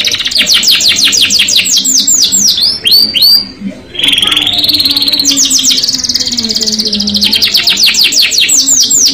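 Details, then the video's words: Lively canary singing in the rolling, punchy ngerol nembak style: loud, rapid series of high swept notes, a short break near four seconds with a lower warbled phrase, then fast rolling repeated notes again. "KENARI GACOR NGEROL NEMBAK | CANARY SINGING"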